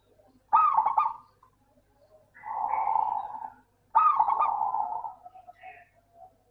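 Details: Local perkutut, or zebra dove, singing as a lure for reluctant doves: three rapid rolling coo phrases about a second long, each opening with a sharp higher note, separated by short pauses.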